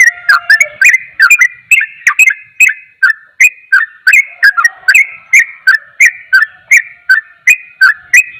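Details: Fast-paced song of a sooty-headed bulbul, the kind said to rile other bulbuls: dense opening flurry, then evenly spaced whistled notes about every third of a second, alternating pitch, each with a sharp click.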